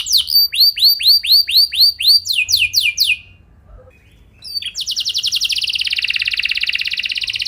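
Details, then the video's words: Lure song of a canary, played to make other canaries sing: evenly spaced curved high notes, then quicker ones, a silent gap, and a dense buzzing roll. "Pancingan Burung Kenari Biar Gacor Ngeroll Panjang! Pasti Nyaut Kenari Manasaja"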